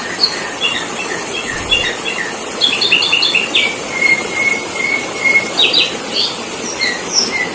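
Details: Sooty-headed bulbul lure song used for trapping. High, clipped chirps repeat in loose runs, with a drawn-out flat whistle near the middle, then more chirp clusters. Constant hissing noise behind.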